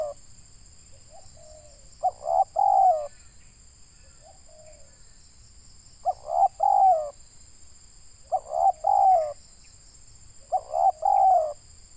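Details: Local spotted dove from Indonesia, noted for its big voice, recorded while luring birds for trapping: deep, rolling three-to-four-note coo phrases repeated every two to four seconds, with soft single notes between and a steady high insect-like drone throughout.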